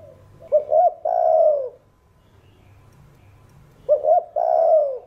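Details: Spotted dove, earth-toned singing style, cooing to rouse other doves: two identical phrases about three seconds apart, each a pair of quick rising hoots and a long mellow coo that slides downward.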